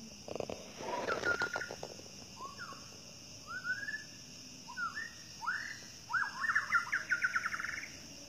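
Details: Wild White-rumped shama of the Medan type singing in forest: a varied run of clear, melodious whistled phrases, rising and falling, ending in a rapid rippling trill, with steady insect buzz and a few low knocks behind.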